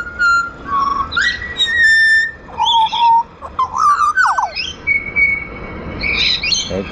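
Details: A wild Pied Butcherbird in Australia, being hand-fed and coaxed to sing, gives a rich, flute-like phrase of clear whistled notes, some steady, some sliding up or down, with a few scratchier notes mixed in.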